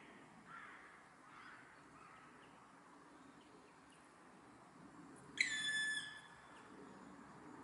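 A Black Woodpecker gives one loud, ringing, slightly nasal note lasting about half a second after several quiet seconds with faint background murmur.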